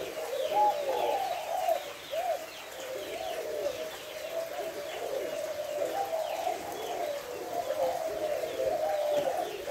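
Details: A spotted dove calls its five-note hậu 2 coo, recorded 3 August; deep, warbling coos flow in repeated phrases over nearly ten seconds, accompanied by thin chirps from other birds.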